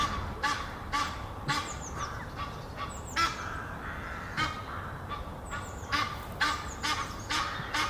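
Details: Egyptian geese, a pair perched together up a tree near Henley upon Thames and courting, give loud harsh honks in quick bursts about twice a second, with thin bird chirps high in the background.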